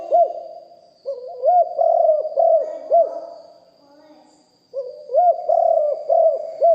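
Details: Live-recorded spotted dove used as a decoy, singing with a big deep voice: three phrases of low arched coos, roughly every two to three seconds, with faint background murmuring.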